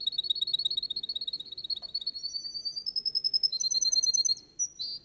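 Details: Russian canary singing in a contest, with a quick, repeated high trill that rises into brighter, sustained whistled tours, over a low murmur of background noise.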